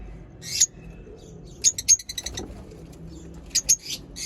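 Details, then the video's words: Pet lovebird chirping in short sharp high bursts, clustered in quick pairs and triplets with quiet gaps between, against faint low room noise. "lovebird sounds for lonely bird lovebird chirping sounds"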